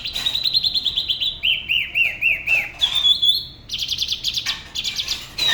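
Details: Solo song of a spot-throated babbler from Da Lat, Vietnam, by the La Ba river: fast trills of high whistled notes, a sequence of descending slurred phrases, then a sustained high whistle and buzzy rapid trills.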